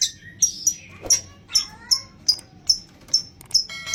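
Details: Long-tailed shrike singing a song packed with mimicked material, used as a lure to make other shrikes sing: short high chirps and sharp tweets come about twice a second, with a lower gliding whistle midway.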